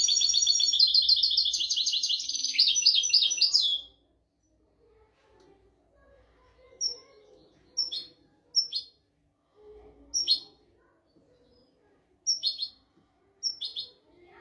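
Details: European goldfinch 'royal' song for tutoring goldfinches and canaries: about four seconds of fast, rattling, high-pitched twitter, then a quiet pause broken by scattered short, sharp, downward-sliding chirps.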